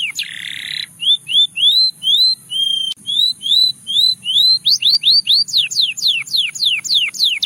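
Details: Russian singing canary song, meant to draw in other canaries: a brief rasping burst, then a long string of evenly spaced rising whistled notes that speed up into rapid falling sweeps.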